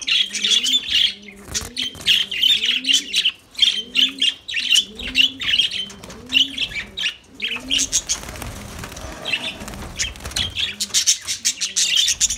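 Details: Continuous high-pitched lovebird twittering runs through the whole passage. Regular low coos from doves fill the first half.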